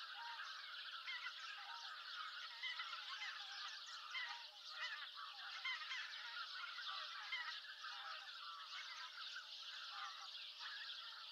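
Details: In November in Japan, as Greater White-fronted Geese come in to roost at dusk, a dense, noisy chorus of many overlapping high, yelping honks calls continuously, with no pauses.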